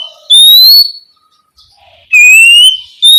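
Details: Night lure of an Oriental magpie-robin in ngeplong style, aimed at stirring young spotted birds to answer; drawn-out clear whistles, each gently rising, spaced by more than a second of quiet.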